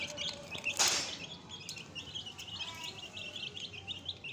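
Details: Fresh chicks keep up soft, high, downslurred peeps. A sharp rustling burst occurs early, then steady overlapping cheeping follows.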